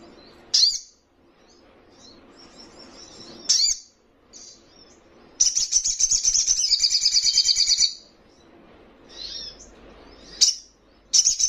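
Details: Young little spiderhunter in insistent song: scattered sharp high chirps and soft twitters, broken by a long fast trill of buzzy, pulsing high notes about two and a half seconds long.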